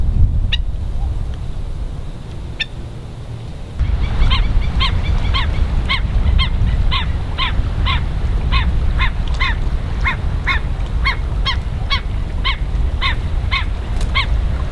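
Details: Hawaiian stilts (Himantopus mexicanus knudseni) at low tide, West Loch Shoreline Park, Pearl Harbor, Oahu, 16 March 2013: sharp, yapping kek calls about three a second over a steady low rumble of wind.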